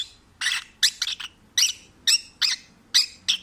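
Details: Content pet peach-faced lovebird singing: about eight short, raspy squeaking notes in quick uneven succession.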